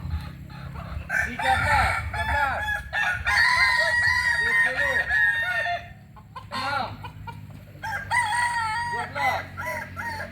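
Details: Pure Kukuak Balenggek chicken from Solok, West Sumatra: three bursts of crowing, each a long stepped phrase of sustained harmonic notes. Curved clucking syllables sit beneath, with brief quiet gaps between bursts.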